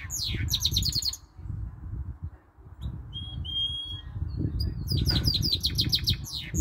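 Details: A male goldfinch × canary hybrid (goldfinch mule) sings bright, rapid twittering trills with canary notes and a few clear, level whistles in quick bursts over a steady low room rumble.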